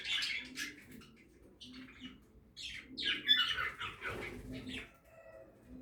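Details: Several budgerigars at feed in an outdoor backyard aviary: rapid, buzzy warbled chirps in irregular bursts, with brief rustling between phrases.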